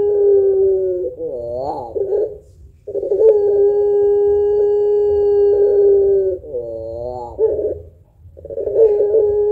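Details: Barbary dove of the puter pelung type with a long voice and thick kuwok, used to stimulate other birds; wavering rising notes alternate with long level low coos, repeated several times.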